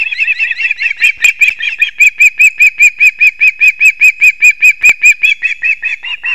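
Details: Osprey calling at a nest in Kurzeme, Latvia, 6:40 am on 3 September 2024, while the male hands over two fish to the chicks. Loud, very regular whistled yelps repeat about two and a half times a second.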